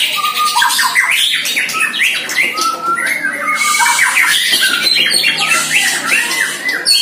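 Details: A one-year-old White-rumped shama in its first practice session against a neighbour's shama pours out rich, varied whistled phrases, rising and falling notes overlapping densely with the rival's song, with no pause across seven seconds.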